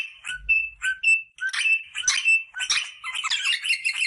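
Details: Rosella voice used to stimulate pairing: a few separate whistled and squawky notes with a low knock at the start, building into a busy, scratchy warbling chatter.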